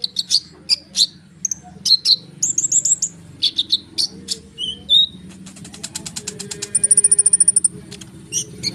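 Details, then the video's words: Rolling, nonstop konin song used as bait to draw sunbirds into answering: varied high chips, whistled slurs, and a fast ticking trill near the end. Low hum underneath. "konin gacor ngerol suara rapat untuk pancingan kolibri bahan cepat respon!!!"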